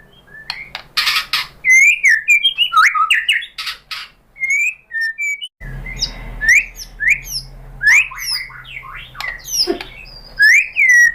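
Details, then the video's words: Lure song of a white-rumped shama, used to goad a rival shama into singing: a long varied stream of sharp whistles, upslurs and chirps with brief pauses, and a low hum entering midway. "MURAI BATU jadi EMOSI NYAUT ikut BUNYI GACOR BONGKAR MATERI dengan PANCINGAN MURAI ini ¦ SHAMA BIRD"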